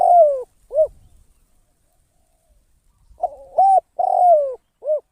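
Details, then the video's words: Spotted dove kept as a decoy bird for trapping at a trap enclosure, its voice valued for its 'kharom' quality: drawn-out cooing notes that slide downward, a short coo after each, a pause of about two seconds, then another burst of coos. "เสียง นกต่อ นกเขาใหญ่"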